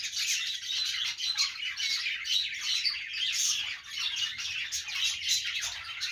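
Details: Budgerigar in a happy mood, chattering steadily with rasping squawks mixed into rapid high chirps, the warble continuing nonstop with a brief dip in volume past the middle.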